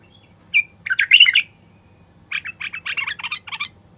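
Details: <caption 6>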